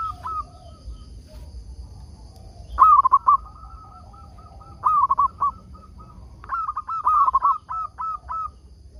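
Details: Local Indonesian zebra dove used as a lure bird to make wild doves answer: three rolling, trilled coo phrases around mid pitch, each followed by spaced single notes, with a faint steady tone and low rumble behind.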